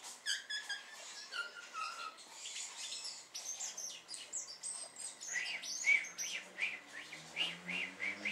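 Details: Great tit, Parus major, giving bright chirping calls: a quick descending run of sharp notes in the first two seconds, then dense overlapping tweets and short upslurred whistles through the rest, among other busy high chirps.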